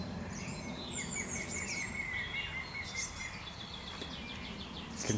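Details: A European green woodpecker, likely perched in treetops by a local pond, gives a distant ringing run of notes, described as an alarm call; small birds chirp high above it, with steady low wind rumble.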